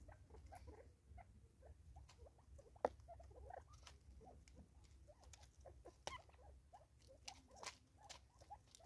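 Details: Five Natal spurfowl eating together, South Africa, 2024: low-volume, rhythmic, short murmured notes repeated steadily, punctuated by a few loud sharp clicks, with a faint low hum behind.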